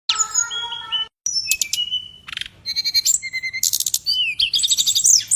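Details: Songbird in full song: varied sequence of clear whistled tones, buzzy trills and sharp high chirps, phrases changing quickly with a brief gap near the start.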